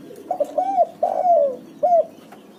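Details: Spotted dove lure call for prompting doves to sing: a full phrase of mellow coos, a few quick short notes, a long drawn croon sliding downward, then one clear closing coo, with a soft lower cooing underneath.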